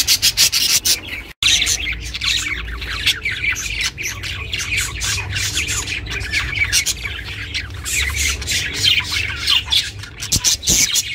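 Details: Pet budgie chattering, recorded for lonely budgies: a dense, fast run of scratchy high chirps and squawks that goes on almost without pause, one brief silent break near the start, low room rumble below.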